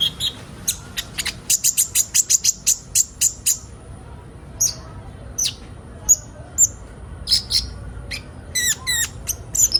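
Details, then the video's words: Sunbird chorus, locally called kolibri ninja, a group recording used as material to get birds singing quickly: quick bursts of thin, very high ticking notes, then scattered sharp chips and brief twittering runs near the end. "Burung kolibri ninja bahan ombyokan cepat gacor"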